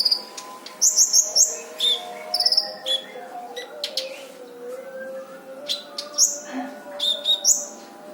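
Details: Brown-throated sunbird song used as a master for other birds: bright high tinkling trills early, then scattered sharp chirps and thin whistles with pauses, steady low tones underneath.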